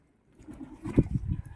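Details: Pigeon giving a short run of low, throaty cooing pulses over about half a second, each pulse soft and rounded, after a quiet start with faint background rumble.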